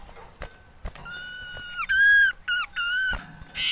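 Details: Male common iora in breeding mood giving long, steady whistled notes that drop sharply at their ends, several in quick succession, strongly harmonic, with soft knocks in the background.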